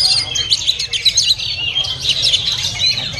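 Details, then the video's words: Oriental magpie-robin kept in a cage at a bird market, singing a quick jumble of bright whistles, chirps and slurred sweeps in short bursts, while other birds twitter and a low hum runs underneath. "Oriental Magpie Robin Singing"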